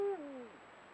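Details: Eurasian eagle-owl pair at their meeting place before breeding, caught by a camera trap, trading guttural contact calls. A short call, cut off at the start, steps down and slides lower, then fades. Quiet background.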